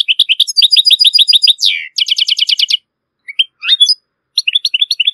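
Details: Strong, error-free song of a European goldfinch from Morocco, played to teach goldfinch and hybrid chicks: a quick string of bright chirps, a sliding nasal note, a fizzing rattle, then scattered sharp twitters after short pauses.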